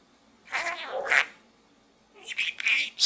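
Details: Budgerigar chattering from inside a small gourd: two harsh, buzzy bursts separated by a second of quiet, the second burst more scratchy and high.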